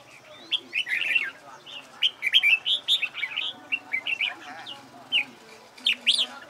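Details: Red-whiskered bulbul singing for competition training: spaced, clear whistled notes and short warbled flourishes, repeated irregularly over a faint background hum.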